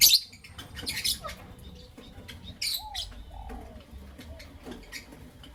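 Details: Lovebirds, a creamino and a lutino opaline, chirping in the morning: short, sharp, high chirps come in separate bursts near the start, after one second and after two and a half seconds, with quiet between them.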